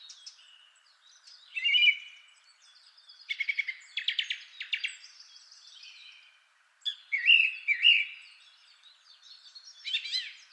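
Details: Rich song of a male Song Thrush, first of three: buzzy, pulsed phrases, a brief silence, then whistled notes given twice and a final sharp phrase.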